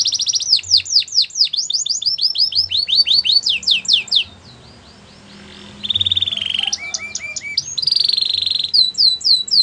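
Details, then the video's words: Rapid repeated down-sweeping notes from a singing Belgian canary, then a brief lull, followed by a level trill, a few low chirps and further high rolling phrases. "Melodies canary bird song | Belgian canary singing"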